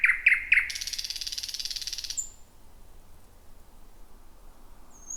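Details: Thrush nightingale in a dense, jungle-like thicket at night: three sharp clicks open into a dry rattling trill that stops abruptly, followed by quiet with one faint high whistle.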